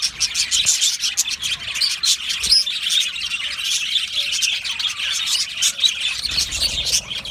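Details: Budgerigars in an aviary colony, a crowd of Australian parakeets singing; rapid chirps, grating warbles and occasional clear whistled notes stand out above the constant group chatter.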